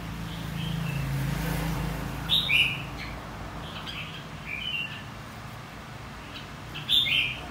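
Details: Red-whiskered bulbul, white-cheeked type, in contest singing meant to spur other birds to sing. Three separate short, sharp warbled phrases break through low rumbling background noise.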